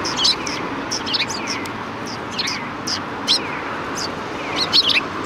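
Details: Sparrows gather to greet a visitor at a Tenmangu shrine's rear gate, 25 February 2020. Bright, high chirps come in loose bursts about once a second, some with a quick downward slur.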